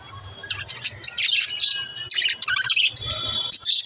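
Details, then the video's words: Budgerigars chirping, for lonely pet budgies: scattered bursts of high chattering chirps and warbled notes, some dipping lower, with a low background hum throughout. "Help lonely budgies to chirp"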